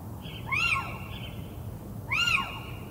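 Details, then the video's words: Little owl giving two mewing, arched calls that rise then fall, each about a third of a second long and rich in overtones, spaced roughly a second and a half apart, over a steady high hiss and low background rumble. "Mocho galego Athene noctua"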